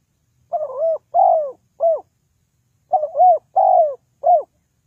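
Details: Spotted dove calling as a trapping lure: two bursts of three mellow coos each, a short note, a longer arched coo, then a shorter closing coo, with a pause between bursts.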